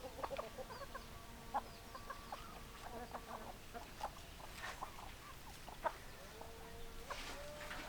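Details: A flock of hens clucking and calling, overlapping short clucks and longer level notes, occasional sharper squawks standing out over steady poultry chatter.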